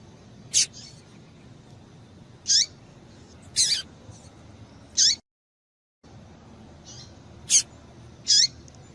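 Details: A female Double-collared Seedeater gives short, high, sharp chips, used to stimulate males to sing, about six in nine seconds at an uneven pace, with a brief silent gap partway through.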